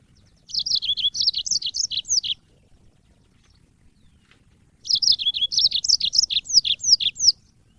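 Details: Yellow-fronted canary from Africa, recorded as training audio for songbirds, singing two bursts of quick, high, twittering chirps, each about two seconds long, separated by a pause of a couple of seconds.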